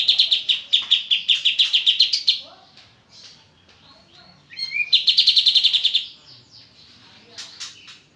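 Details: Kapas tembak oriental white-eye singing in the bursting ngebren style: two rapid volleys of high, sharp chirps, each about two seconds long, separated by a quieter gap with a rising whistle, then scattered chirps.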